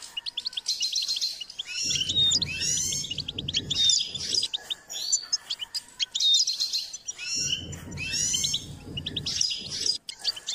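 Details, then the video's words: Goldfinch performing its song while being trained: dense bubbling twitters and liquid trills in repeated phrases, broken by short gaps, with periodic low rumbling noise beneath. "Step by step enhancing the goldfinch’s singing"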